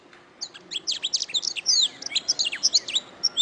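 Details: Training-master canary song: a quick run of clear, high whistled notes, sweeps and tiny rattles, each note sharp and distinct, delivered almost without a break.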